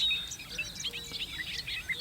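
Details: A Bobolink sings in new grass in May on its North American grassland breeding grounds, staking out territory: a rapid, bubbling jumble of high, tinkling and metallic notes jumping up and down in pitch, over a faint hiss.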